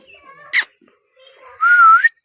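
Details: Indian ringneck parrot, a clear whistled note held and slightly wavering, then rising at the end, preceded by a short sharp squeak, in a quiet indoor setting.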